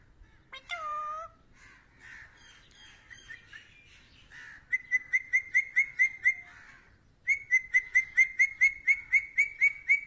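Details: Pet rose-ringed parakeet, an Indian ringneck, copying voices: a few loud whistled and chirped notes, then quick trains of sharp, even clicking pulses repeated about twice a second, in two bursts with a short pause between.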